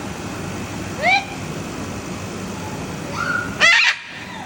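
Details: Blue macaws, described as smart parrots; two rising whistled calls, then a short, very loud harsh squawk burst near the end, with a steady background hum.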